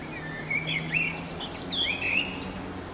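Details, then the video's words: Eurasian blackbird at sunset, 9 June 2011, delivering a rich run of fluted, slurred whistles that rise and fall, with a few thinner high notes, against a faint low background hum. "Blackbird's Song"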